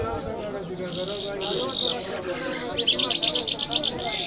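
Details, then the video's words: Iranian lark of the Mashhadi type, called jal, singing in high, bright whistled and chattering phrases that pause, then return faster and busier, over a steady murmur of background talk. "Jal Birds Iranians Lark Sounds | صدای طرقه، مشهدي مست"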